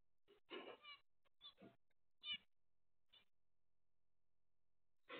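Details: Zebra finch (Taeniopygia guttata) giving short, nasal, buzzy calls in irregular bursts.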